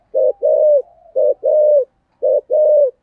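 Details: Spotted dove kept as a decoy, calling in a traditional local style to draw in wild doves; three paired phrases, each a brief low note then a drawn-out mellow coo, separated by short pauses.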